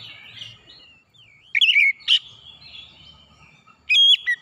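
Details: Oriental magpie-robin song meant to prompt untrained birds to sing loudly: mostly soft background warbling, broken by a few loud whistled notes and a final ringing, strongly harmonic burst.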